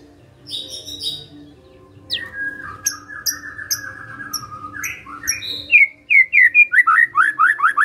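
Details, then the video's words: Murai (magpie-robin) gives soft high notes and a drawn-out warbled phrase, then a fast, loud series of repeated down-slurred whistles. "Murai Nyaut Gacor"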